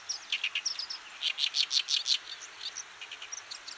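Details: Oriental Reed Warbler, one of Japan's birds of farmland, grassland and water's edge. Rapid, raspy, repeated chattering notes rise into a loud grinding burst about three per second, then fade to softer scratchy chips.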